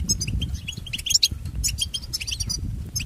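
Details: European goldfinch song used to train pet goldfinches: rapid, liquid twittering of short chirps and trills, with a few buzzy rising notes, over steady low rumbling background noise.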